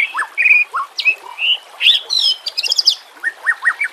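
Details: White-rumped shama singing, meant for training and luring birds, with nature sounds and trickling water: bright whistled notes, quick descending slurs, a dense burst of high chattering, then a repeated series of short downward notes.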